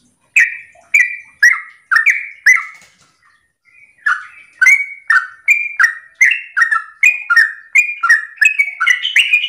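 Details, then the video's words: Sooty-headed bulbul in lively morning 'ropel' song meant to prompt other birds to sing: five loud falling whistled notes, a near-silent pause around three seconds, then a faster, denser run of chirpy descending notes. "Pancingan trucukan gacor ropel pagi hari trucukmu pasti langsung nyaut"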